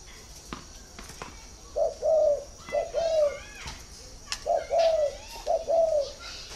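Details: Spotted dove cooing, from a northern Vietnam dove-keeping garden: two phrases, each a short introductory note followed by a longer, mellow, slightly falling coo, about two seconds apart, with scattered clicks and faint background chirps.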